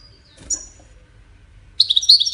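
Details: Goldfinch singing for courtship and communication. A single thin high note opens, then a soft rustle, and after a pause a loud burst of tumbling, twittering, liquid notes cuts in at the end.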